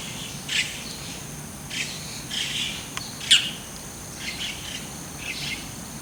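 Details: Bull-headed shrike calling proudly with a mantis in its beak while looking around, mostly ground calls: short, harsh, scratchy calls at irregular intervals, about six bursts in six seconds, over a faint steady hiss.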